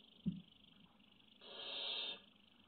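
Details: Barn owl chick waiting patiently, seen on a nest webcam on 03.05.17; a short knock opens, followed by one drawn-out rasping hiss lasting under a second, against steady background hum.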